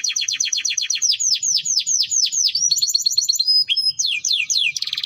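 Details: Timbrado canary song of rapid descending swept notes repeated in a quick series, shifting into trills and clear whistled tones, loud and close.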